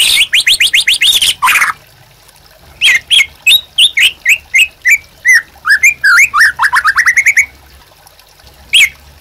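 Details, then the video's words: White-rumped shama singing a rich run of clear whistles and slurred notes, quick bursts then a rising, rapid series, with brief pauses between phrases. "MURAI BATU GACOR UNTUK PANCINGAN DAN MASTERAN"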